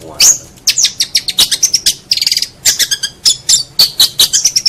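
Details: Long-tailed shrike song from a tutor recording: a varied jumble of high whistles, sharp chips and brief buzzy bursts in quick irregular succession.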